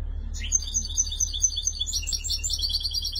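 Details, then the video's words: Tunisian goldfinch, called a 'chentour' singer and recorded in 2020, pouring out a fast, high twittering warble of bright, tinkling and buzzy notes without pause. A steady low hum sits beneath. "جغل تونسي شنتور"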